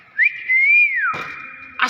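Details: Common hill myna giving its natural voice: a long clear whistle that rises, wavers and holds steady for over a second, then cut by a short harsh burst, in a small indoor space.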